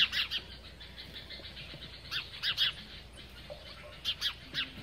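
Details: House sparrows feeding give short, harsh chirps in loose clusters of two or three, repeated every second or so over a faint low hum.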